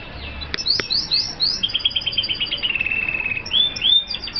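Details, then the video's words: Song of an F1 kaputzensijs (red siskin), tropical birds from Colombia: a series of quick upslurred chirps after two sharp clicks, then a fast even trill of high notes and a closing rising whistle. "Kaputzensijs F1 (Sound)"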